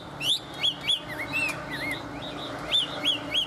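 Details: Chinese hwamei, a tame bird in good voice, delivering rich whistled notes: sharp upslurred whistles, softer dipping slurs, then a repeated trio of bright looping phrases near the end.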